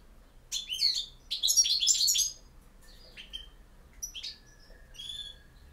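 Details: European goldfinch giving campero song, short volleys of sharp, high twittering notes and brief liquid trills, broken by pauses, ending with isolated high chirps and a faint thin whistle.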